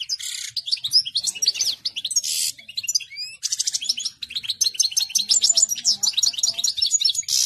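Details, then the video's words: A European goldfinch at the peak of excitement sings a fast, continuous, high-pitched stream of tinkling, twittering notes with buzzy rasps mixed in. "مقنين يا سلام تبارك الرحمن في قمه الهيجان"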